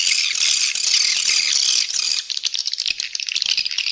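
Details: Swiftlet calls used as a lure to draw in birds and boost the population: a thick, steady twittering chorus that breaks up after about two seconds into quicker, separate clicking chirps.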